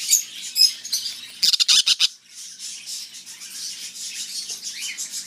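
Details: Captive canary-winged parakeets in a pet shop give shrill, scratchy chattering calls with a quick run of harsh screeches in the middle, several birds seeming to call over one another.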